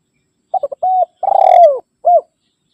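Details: Spotted dove (tekukur) calling to rivals, a sound used to lure wild birds closer: short stuttered coos, a held mid-pitched coo, then a pulsed rising-and-falling phrase sliding down, ending with one short coo; clean, no background.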